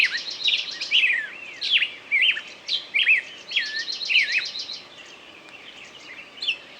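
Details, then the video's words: Bird singing in a lively run of looping whistles, down-slurred notes and brief chattering trills, phrases spaced by short pauses, growing quieter toward the end. "пение птицы"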